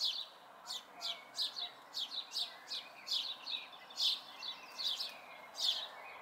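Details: House sparrow fledglings in May 2020 giving a rapid series of sharp, high chirps, roughly two a second and sometimes overlapping, over a steady low hiss.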